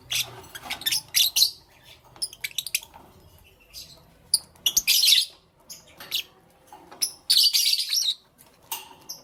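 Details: Lovebird chirping in the morning: harsh, high squeaks and chattering bursts come in clusters with pauses of a second or so, some calls louder and rasping.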